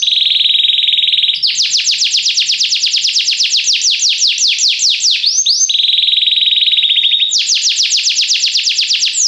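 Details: Belgian canary singing a training song for other canaries: a steady buzzy trill, then rapid repeated downward-sweeping whistled notes, a brief pause, and the trill returning before more fast sweeps.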